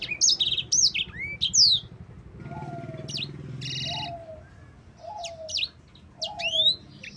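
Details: Yellow-fronted Canary (sanger) song used as master and lure recording for other birds: a few loud, high swooping whistles open, then a burst of noise and a series of lower, softer whistled notes, song phrases returning near the end.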